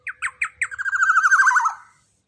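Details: Young black-naped oriole, big-bodied and loud, delivers four separate falling notes followed by a rapid, buzzy, pulsing rattle that slowly drops in pitch before stopping abruptly.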